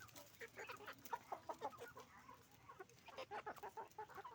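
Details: Roosters and hens on a chicken farm, a dense run of short repeated clucks from several birds, pausing briefly before another busy burst of overlapping calls.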